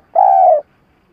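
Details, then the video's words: Spotted dove kept as a trapping lure, one long steady hollow coo lasting about half a second, level in pitch and fading slightly at the end, against a quiet background. "Tiếng cu gáy mồi cà lăm gù - gáy - thúc kích bổi nhanh nổi"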